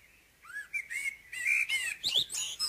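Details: Common blackbird singing in the morning: a low, fluted warbling phrase that slides and turns, then breaks into a thin, high squeaky twitter at the end.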